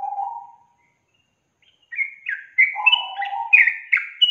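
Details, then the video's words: Yellow-vented bulbul lure song meant to stir a lazy young bird into singing: a low warbled phrase, a pause, then a quick run of bright chattering notes mixed with lower mellow tones. "SUARA PANCINGAN BURUNG TRUCUKAN untuk memancing trucuk bakalan malas bunyi"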